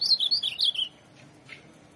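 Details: Ultramarine grosbeak, a tournament-kept azulão: a quick warbled phrase of about six slurred notes sliding between high and mid pitch, lasting under a second, followed by a faint single chip and quiet background.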